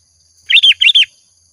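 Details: Sooty-headed bulbul in energetic gacor singing, used as a lure sound: two short bubbly phrases of quick slurred chirps, each about a quarter second, given back to back, on a quiet background.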